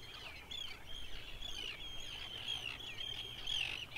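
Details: Rare Icelandic breeder, the Grey Phalarope: bright, high twittering calls, quick and closely spaced, with short level whistled notes running almost continuously through four seconds.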